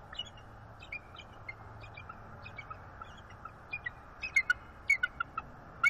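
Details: Bald eagles in northeast Florida during attempted mating on a branch one December morning. Faint high chips start the passage, then a louder burst of quick piercing chitters rises near the end over a constant hiss.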